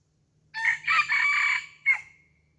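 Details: Red junglefowl decoy crowing to lure wild junglefowl: a loud, harsh four-part crow lasting about a second and a half, with a short broken opening, a long sustained middle and a brief clipped final note, in otherwise quiet surroundings.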